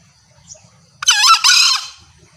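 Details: Hunters' lure recording of a hen green junglefowl calling males, clear and ringing: a sharp hoarse first burst, then a longer grating, slightly descending second part, quiet hum before and after.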